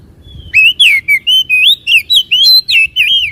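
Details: Provoking song of a white-rumped shama, used to rouse a caged bird into singing and opening its tail: a rapid string of loud, clear whistled notes that bend up and down, about three notes per second.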